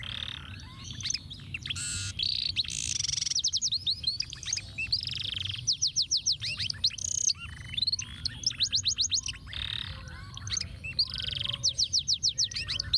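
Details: Canary performing complex ruwet-style tutor song used to train other birds, a long unbroken stream of whistled sweeps, buzzy rolls and rapid repeated upslurred note series, varied and intricate throughout, over a steady low background hum.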